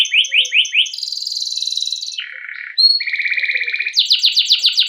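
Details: Canary singing varied phrases from a long rolling training song meant to lure other canaries: short rising chirps, a high buzzy trill, a lower buzz, then a rapid trill and quick repeated notes.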